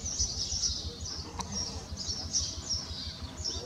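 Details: Iberian magpie fledglings, two young birds out of the nest on the ground, with adults coming to help; a continuous series of high, hissy, rasping calls repeated several times a second over low background rumble.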